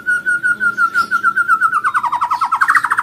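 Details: White-rumped shama lure recording for prompting song: a steady stream of clear whistled notes on one pitch that quicken and step upward into a rapid trill.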